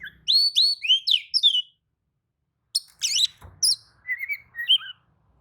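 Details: Oriental magpie-robin roused by another magpie-robin's song, opening with a quick series of four bright descending whistled notes, then after a silence sharp up-and-down notes and lower warbled whistles.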